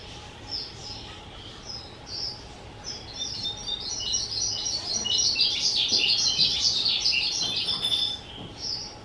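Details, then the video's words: Pet skylark, two years old, recorded 18 April 2023: separated high chirped phrases give way to a loud, fast, unbroken torrent of jumbled twittering and trills before breaking back into short phrases. "Chim Sơn Ca 2 Tuổi"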